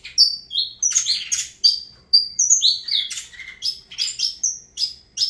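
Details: Saffron finch of the Avalanche song line, singing a fast run of bright, high whistled and buzzy notes, some sliding down, others sharp chips, in quick varied phrases with brief pauses; quiet background.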